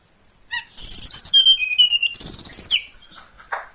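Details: Young forest-caught Tledekan Kalimantan flowerpecker, kept in care about two weeks, singing in the morning: a run of thin, very high whistled notes stepping downward, then a long sustained high whistle, ending with a brief lower chirp.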